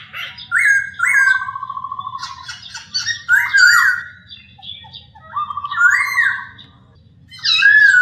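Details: Masked laughingthrush song, played to train caged birds: bright whistled slurs alternate with rapid rattling trills and harsh squawky notes, separated by short pauses, with low background hum.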